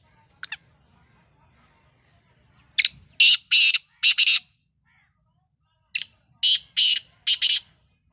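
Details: Black francolin, described as a Sindhi bird, gives two loud, harsh, grating phrases of four to five rasping notes each, about three seconds apart, after a brief sharp chirp; a faint low hum sits underneath.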